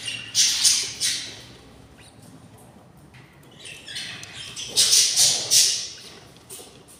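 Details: A nest of six hungry budgerigar chicks at day 24 gives scratchy, hissing begging calls in two clusters of rapid pulsed squawks separated by a quieter pause.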